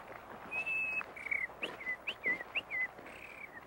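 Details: White-crowned Sparrow singing the local dialect on a crisp morning in Golden Gate Park, San Francisco: a clear whistled opening note, quick paired notes slurring up and down, then a buzzy vibrato ending instead of a trill.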